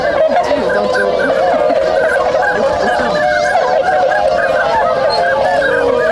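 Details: Swans at their winter gathering place in Inzai, Chiba, Japan, waking and getting moving on 16 January 2022; loud, continuous massed honking from many birds, with some calls briefly rising above the rest.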